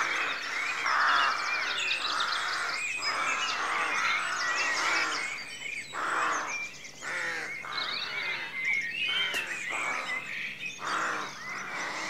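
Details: Rooks in a rookery at dawn: a dense chorus of harsh, overlapping caws that rises and dips without pause, with high thin chirps of small birds threaded above.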